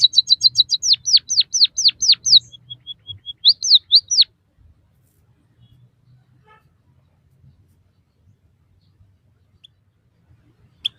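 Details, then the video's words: Training song of a white-headed munia for captive birds: a rapid chip series and repeated steeply falling whistles, a thin level trill, and more slurred notes. The song stops after about four seconds, followed by near silence with faint ticks. "suara burung emprit kaji gacor masteran burung pipit bondol haji"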